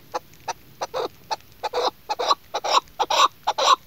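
A female chukar gives a series of harsh, clucking chuck notes, about two per second, speeding up and growing louder toward the end.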